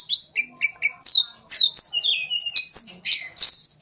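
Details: Bird singing loudly: varied high whistled and squeaky notes, some falling slurs, short repeated chirps and a few sharp squawks, clean background.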